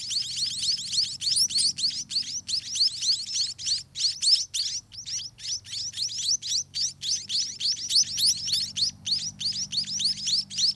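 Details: Greedy begging from scaly-breasted munia babies in their nest while parents feed them: a long, insistent series of high, rising chirps at a fast, fairly even pace, over a faint low droning hum.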